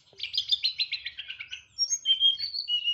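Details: Caged Indonesian white-rumped shama from Boyolali singing a loud 'nyeklek'-style song with complete mimicked fill-ins. A rapid buzzy trill of about ten pulses, then a pause, then several sharp high whistled notes.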